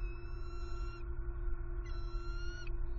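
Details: Two bald eagle nestlings in Southwest Florida on 6 February 2021, unfed for over 24 hours, with one aggressive to the submissive other; two long, level whistled calls with bright harmonics, separated by a pause, over steady low rumble.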